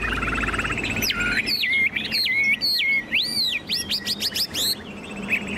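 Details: Caged Chinese hwamei with spread tail singing loudly: a varied run of loud, clear whistles, with sweeping rising and falling slurs and rapid repeated notes, over steady background hum.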